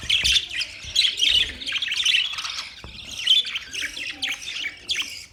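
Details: Budgerigars chattering steadily, buzzy squawks and short chirps run together in a busy, uneven warble, a few notes sliding downward.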